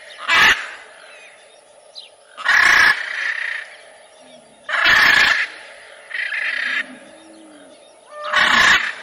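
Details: A series of short, raucous macaw screeches about every two seconds, alternating with quieter, drawn-out rasping calls.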